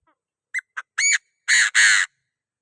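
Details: Chinese francolin calling to provoke other birds: a few short clipped notes, then two loud, harsh, grating squawks in quick succession.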